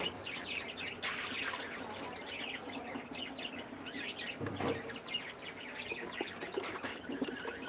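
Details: Several cockatiels in breeding season, new young due soon, keep up rapid high chirping and squeaky notes, with a few louder sharp bursts and a faint low hum underneath.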